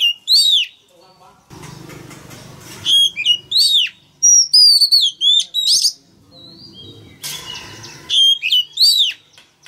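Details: A male Oriental magpie-robin belts out rapid, varied whistles and sharp chirps in repeated phrases, used to coax young birds into singing. A low rumbling background is heard between phrases.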